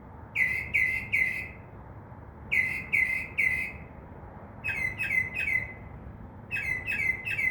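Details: Northern mockingbird perched in a tree outside a window at night, singing repeated sets of three or four short raspy notes, each set a phrase copied from other sounds, separated by pauses of about a second.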